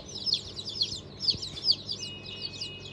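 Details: Chicks just hatched on 5 May 2023, of the Cream Legbar, Sultan, Fizan, Cochin and İspenç breeds, give loud, high, downward-sweeping peeps in quick irregular bursts, with a thin steady tone near the end.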